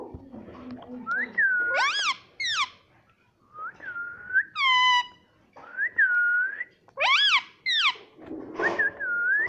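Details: Pet rose-ringed parakeet, an Indian talking parrot: smooth dipping whistles mixed with sharp nasal squawks that sweep downward, delivered in irregular bursts, with a short rough chatter at the end.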